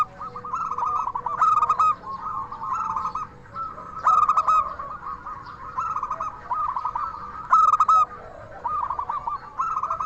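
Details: Local zebra dove with a 'crystal voice' song, used as a lure to make other zebra doves answer and raise their breeding drive: loud bursts of clipped, stacked coo notes roughly every two to three seconds, with softer rolling cooing from other doves between.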